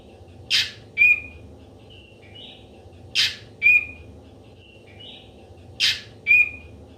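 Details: Ashy drongo sound used as a lure for trapping wild drongos: a sharp broadband burst followed by a clear rising whistle and a softer wavering note, the phrase repeated about every two and a half seconds over quiet background.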